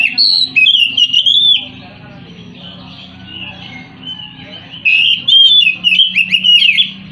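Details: Caged white-rumped shama delivering varied whistled song phrases, rising and falling warbles with quick chips, a pause of a few seconds, then a rich burst of rapid notes; faint low hum beneath.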